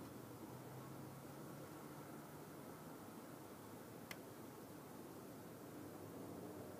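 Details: Steady broadband hiss like a fan or air conditioner fills the room, broken only by one sharp click partway through.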